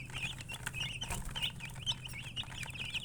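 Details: Rapid high-pitched chicken chirps, thin wavering peeps following one another almost without pause from several birds, with a low background hum and brief tapping noises.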